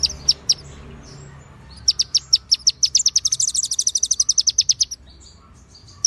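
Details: White-rumped shama in konin style with cililin and ciblek imitations, clear with pauses: a few sharp high chips, then a fast run of about twenty bright, evenly spaced high notes lasting three seconds, followed by scattered soft notes.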